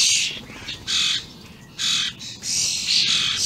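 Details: Juvenile and adult common starlings calling loudly, late May 2016; repeated wheezy, buzzy screeches about a second apart, each a broad hiss, some dipping lower at the end.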